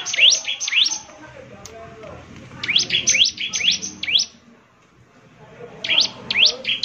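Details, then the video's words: Bar-winged prinia (ciblek semi) singing gacor, said to provoke answering song: three groups of shrill upward-sweeping notes, two to five per group, with quiet gaps of low murmur between them. "ciblek semi gacor, SEKALI putar saja ciblek semi PASTI ikut bunyi nyaut"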